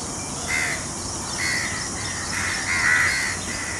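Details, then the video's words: Peacocks spreading their feathers in front of a peahen outdoors. Repeated harsh, honking calls come in uneven bursts, the loudest near the end, over a background of steady insect buzz. "Peacock Sounds"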